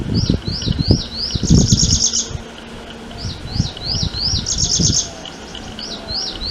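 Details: Two bouts of prinia calling: each opens with several quick, rising arched whistles and runs into a dry, buzzy trill, over a background of low rustling.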